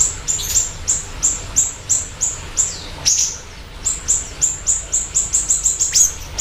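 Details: Siri-siri bird singing vigorously, used as a lure and master recording; a steady series of sharp, high chirps that speeds up near the end into rapid repeated notes.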